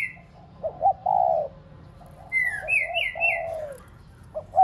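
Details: Cooing of a decoy spotted dove played to stimulate pet doves: short notes and long falling coos, overlapped midway by a higher bird's rising and falling whistled twitter.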